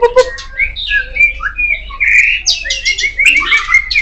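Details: Loud song of a kacer poci, the Oriental magpie-robin: a busy stream of sweet whistles, squeaky chirps and jumbled high warbles, changing pitch constantly with barely a pause.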